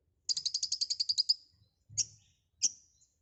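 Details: Lively full filler singing of a white-rumped shama (konin): a fast, high, metallic trill of about twelve pulses, followed by two separate sharp downslurred chips.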